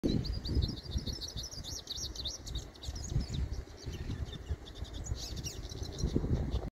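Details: A young male Hooded siskin (Spinus magellanica), free in its natural environment, practices its song in a soft, rambling stream of high twitters and thin warbles, over a steady low rumble.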